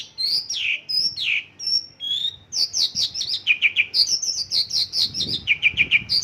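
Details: Song of a Mongolian lark in isian lokalan style, packed with local bird imitations: a few drawn-out falling whistles, then rapid trills of high chips repeated in short groups.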